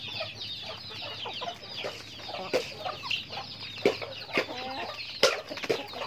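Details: A chicken flock during daily activity, high chirps and peeps mixing with lower, throaty clucks, several sharp accented notes roughly every second or so, over a faint low steady hum.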